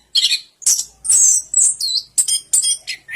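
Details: Orange-headed thrush giving loud, high bursts of song: about six separate phrases of shrill, buzzy chirps, each split by brief silence.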